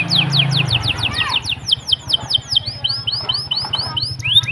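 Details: Canary singing a run of quick, high, downward-swept whistles at about five per second, shifting to rising-then-falling arched notes and a final upward slur, over a steady low hum.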